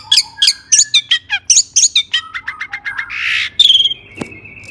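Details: Long-tailed shrike's agitated song meant to excite other shrikes; quick sequence of squeaky chirps and falling whistles, a short hissing rasp, then a drawn-out high whistle and a sharp click.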